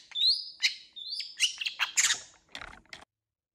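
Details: Long-tailed shrike in brisk varied song: thin rising whistles and sliding notes mixed with scratchy twitters, closing with a few soft, breathy rasps.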